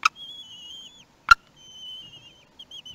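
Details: Common kestrel family at a nest during a food delivery and feeding, 4 June 2021, Théding, France: thin, high, wavering whines drawn out for most of a second each, broken by two sharp wooden knocks.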